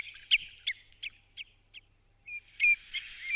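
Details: Common redshank calls used as a lure, softer and more distant: five evenly spaced short whistled notes, a brief gap, then a thin drawn-out whistle and further faint notes.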